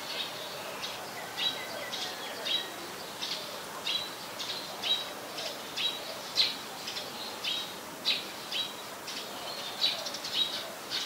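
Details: Black-collared starling in Ubon Ratchathani, Thailand, on 26 March 2021, giving a long run of harsh, squeaky notes around two per second, some with sharp whistled accents, over faint background hiss.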